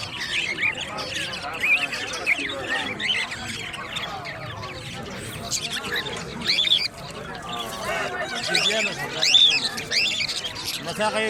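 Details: A talking parrot family gives continuous high, twisting, speech-like chatter and squawks, rising and falling rapidly, with louder bursts near two, six and nine seconds against a background murmur.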